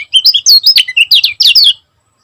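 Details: Kecial kuning of Lombok in a quick, dense burst of song: about two seconds of high, sweet chirps and short rising and falling slurs, delivered in rapid succession.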